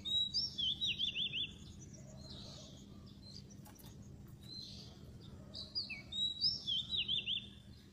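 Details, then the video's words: Oriental magpie-robin song played as a trapping lure, with loud trilled, wavering whistles at the start and end and softer buzzy notes between, over a low hum. "pikat burung kacer yang ampuh"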